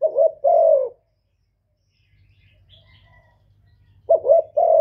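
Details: Spotted dove calling to stir up males: a couple of soft, low coos open the recording, then near-silence with a faint hum, before a short doubled coo and a longer drawn-out note return at the end.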